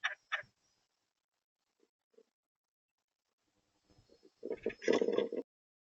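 Red-bellied woodpecker: two quick harsh notes, a pause, then a loud rolling, burry churr lasting about a second. No other sounds stand out.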